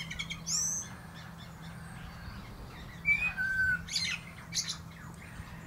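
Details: A common blackbird perched atop a plum tree gives a short song with clear whistled notes, a smooth falling fluted phrase and scratchy high twittering, separated by quiet pauses over a low hum.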